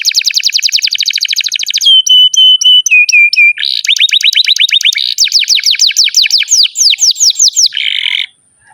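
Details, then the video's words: Canary in long, continuous song used to train young canaries and silent ones to sing: rapid buzzy trills, then steady whistled notes, then fast sweeping downslurred phrases repeated about twice a second, ending in a short rasping burst. "SUARA BURUNG Kenari GACOR PANJANG INI Cocok untuk Masteran KENARI PAUD dan Kenari Macet BUNYI"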